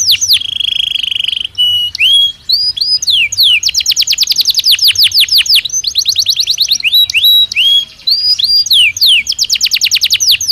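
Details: Belgian canary in natural song for daily stimulation; opens with a long steady whistled tone, then rising slurs and extended rapid trills of downswept notes broken by brief pauses, bright and loud throughout.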